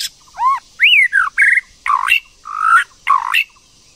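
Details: Female white-rumped shama singing to stimulate a male, giving a string of loud, varied whistles: arched upslurs, falling slurs and full warbling notes in quick succession, with a faint steady high hum behind.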